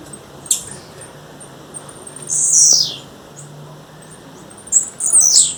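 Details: Sparse high calls from a wild female blue-black grassquit: a thin chip, a long buzzy hissing note sliding down, then a final pair of sharp buzzy notes after a quiet stretch.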